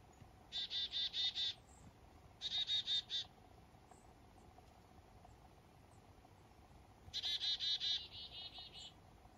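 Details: Black-capped chickadee calling at dawn in morning fog up north: three separate runs of rapid, buzzy, evenly spaced notes, each run lasting about a second, with quiet gaps between them.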